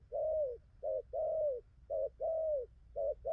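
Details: Wild-caught spotted dove, newly singing its complete song, coos well: a clipped note leads into a longer, gently descending coo, the pair repeated in quick succession, low hum beneath.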